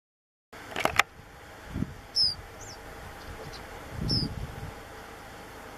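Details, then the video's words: One white-browed meadowlark (Sturnella superciliaris) at Puente Romero, Gorchs, Buenos Aires Province, 4 February 2017, gives two brief, thin high notes about two seconds apart, over low wind rumble and a few clicks. "Pecho colorado (Sturnella superciliaris): VOZ"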